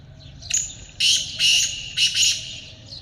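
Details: Kaale teetar, the black francolin, in a hunting context: a brief scratchy opening note, then a loud run of rough, buzzy, grating bursts grouped in pairs, harsh and broad, against a faint low background hum.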